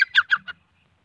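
Grey francolin giving four quick, harsh, ringing notes in about half a second, the middle ones loudest, then falling silent.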